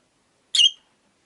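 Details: Single short, bright, harsh chirp from a caged rosy-faced lovebird, one of five living beside a window, otherwise quiet.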